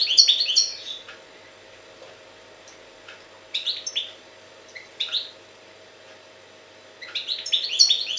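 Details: European goldfinch from Jagodina singing in three bright bursts of tinkling, twittering notes, separated by pauses of a second or two, with a faint steady hum in the background.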